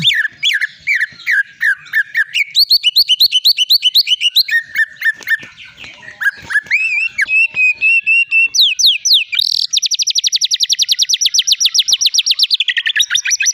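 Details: Champion caged white-rumped shama of the long-tailed Medan type, singing a torrent of varied material: bouncing rising whistles, sliding notes, then a long, very fast high metallic trill held for several seconds.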